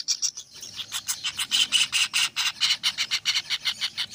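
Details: Kingfisher nestlings utter repeated scratchy, buzzy notes that start softly and grow louder and denser, a rapid rhythmic rasp.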